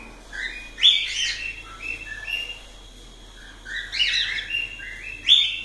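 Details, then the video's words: Cockatiels alternating bent, whistled notes with sharp squawky chirps in two busy groups, with a quieter stretch between. "Calopsitas Live de Agradecimento aos 500 Novos Inscritos Canto dos pássaros"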